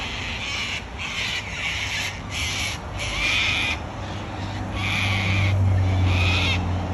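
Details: Wild Australian cockatoos give harsh, raspy screeches in a rapid series, roughly twice a second, over a low steady rumble.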